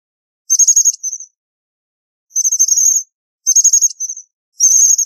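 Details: Sequence of four high-pitched, rapidly pulsed twitter bursts from an American bushtit, irregularly spaced with a long pause in the middle, thin and lisping, no other sounds.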